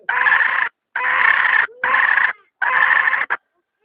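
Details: Hen giving a series of loud, raspy, harmonic calls, four drawn-out notes of about half a second each separated by brief pauses, ending with a short clipped note.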